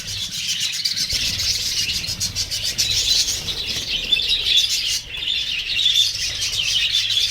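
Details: Budgerigars in Bhagalpur chatter continuously in a high, scratchy stream of chirps and short whistles.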